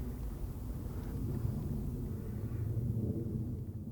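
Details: Low outdoor rumble like distant traffic or wind fills the recording, dull and steady, with nothing else standing out.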